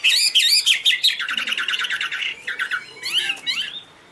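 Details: Loud, pure song of a Chinese hwamei: sharp high notes open into a fast rattling trill of repeated chips, then rising whistled sweeps and chirps before it fades.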